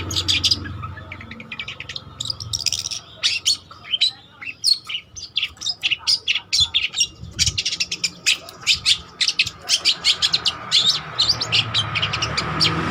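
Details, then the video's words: Long-tailed shrike of the trotol variety, actively singing for lure or master use: bursts of quick scratchy chatter and whistles, sparse at first, then dense and continuous, with a low rumbling background that grows louder near the end. "Burung Cendet Trotol Gacor Untuk Pancingan atau Masteran Juga Bisa"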